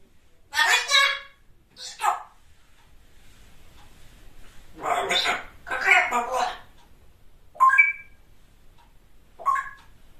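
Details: Talkative grey parrot chatters in short bursts of mimicked speech-like words, ending with a few higher whistled notes, in a quiet indoor room; grey parrot.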